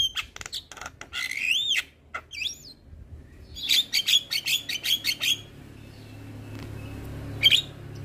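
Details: Male Javan myna, a kept bird singing vigorously with head-bobbing, mixes looping whistled slurs with brief clicks, followed by a short series of sharp harsh notes and a final high squeak.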